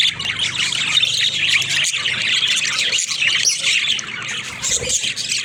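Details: Several budgerigars playing inside their cage chirp and warble together, a steady, busy wall of high squeaky notes with a low background hum.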